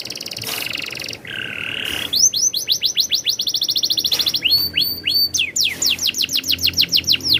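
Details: Canary song opening with a low buzzy roll, then bursting into long runs of sharp descending whistles, paired clipped notes, and further quick sweeps in rhythmic series.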